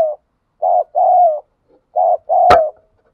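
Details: Wild spotted dove of the ground type, cooing in the thúc gù style: four low, hoarse coo notes in two paired phrases, the second of each pair longer and slightly falling, with a sharp click over the last note.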